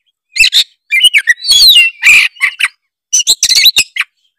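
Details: Gacor song of an Oriental magpie-robin, meant as a lure for other magpie-robins: continuous loud bursts of squawky chatter, slurred whistles and harsh notes, with a short pause midway.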